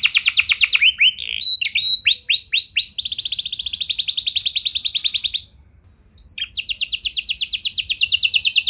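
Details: Canary singing varied phrases to encourage other canaries to sing long. Mixed slurred notes lead into a long fast trill, a brief gap near the end, then rapid trilling again.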